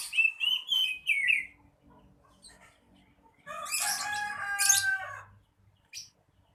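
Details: Oriental magpie-robin singing actively: a run of clear, slurred whistles with a few sharp chips, a pause, then a loud burst of harsh, buzzy, layered notes mixed with whistles, ending in one short squeaky note.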